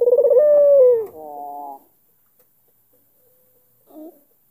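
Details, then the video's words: One coo from an albino Barbary dove with a black collar, calling to bait a rival: a vibrating rolled opening and a clear falling tone, then silence and a faint short note. "PUTER ALBINO KALUNG HITAM MANCING LAWAN BUNYI"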